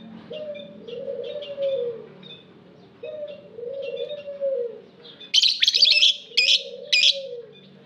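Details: Soft dove-like cooing in regular low phrases opens the scene, then aviary lovebirds break in with several loud, grating chirp bursts.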